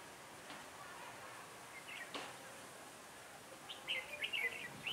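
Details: Red-whiskered bulbul serving as a trapping decoy on a cold, windy 16 December 2017; soft thumps and faint sounds early, then a lively run of high, chattering warbled notes toward the end.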